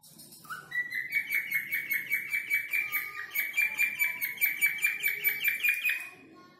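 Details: Falk, the cockatiel, whistling a person's name in a rapid chirpy trill of short notes that climbs gradually in pitch over several seconds.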